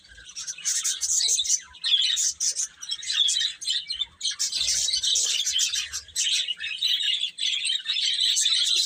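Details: A group of baby chickens chirps constantly while eating and playing, with sharp high peeps crowding together in uneven bursts and a few short lulls.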